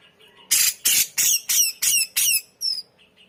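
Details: Grey-cheeked bulbul in a tutor recording meant for training kacer and murai songbirds: six loud harsh rasping notes about three per second, each with a falling edge, then a thinner squeaky note, with faint high chirping behind.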